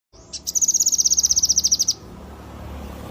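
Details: Yellow-eared spiderhunter singing in a lively, vigorous style: a fast burst of high, sharp repeated notes, about twenty evenly spaced pulses over roughly one and a half seconds, then stopping abruptly.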